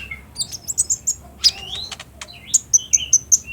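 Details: Lure song of a spotted, greenish olive-backed sunbird kept in captivity, used to make caged birds respond and sing. Sharp, very high tweets in short bursts, then a rising whistled slur and a run of evenly spaced piercing notes.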